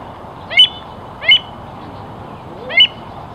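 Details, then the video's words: American avocet, recorded in North America: three loud, sharp, high-pitched call notes spaced unevenly over a few seconds, each a brief rising yelp, with faint low background hiss. "美洲反嘴鷸(褐胸反嘴鷸)/American Avocet"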